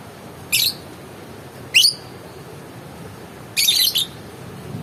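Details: Three separate sharp calls from a lovebird, each a brief shrill squeaky chirp, the last a doubled harsh burst, spaced over a few seconds of quiet.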